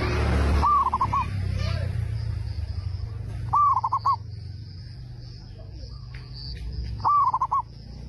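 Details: Local Zebra dove with a big voice, singing to draw answers from other doves, gives three short phrases about three seconds apart, each a rising note and then rapid clipped coos, over a loud low rumble.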